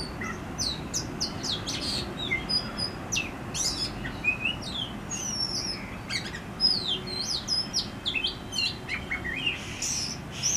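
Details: Oriental magpie-robin singing in a backyard in Howrah, West Bengal, India: a run of varied, high whistled phrases, short sweeps and chirps rising and falling, given in quick bursts over a steady low background hiss.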